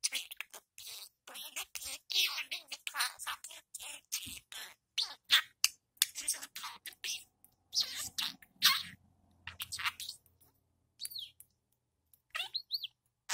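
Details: A five-month-old male pet budgerigar talks to his orange ball toy, chattering in rapid, raspy mimicked words, a stream of clicks and squeaky syllables.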